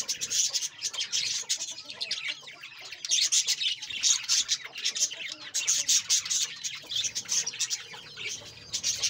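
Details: Budgerigars in a breeding colony, a dense nonstop chorus of high twittering, warbling and sharp chirps from many birds at once, overlapping in quick bursts throughout.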